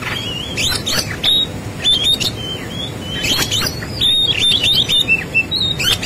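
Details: Busy fighting song from an Oriental magpie-robin, rich in fill-ins: rapid clusters of bright whistles, sharp chips and rasping notes, loud phrases with short pauses, faint low background noise.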